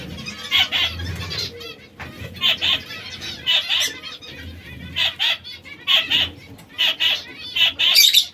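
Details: Red, yellow and brown canaries, a trio of small exotic birds, repeat short bright chirp clusters roughly every second in a fairly even rhythm, ending with a harsh squeaky burst.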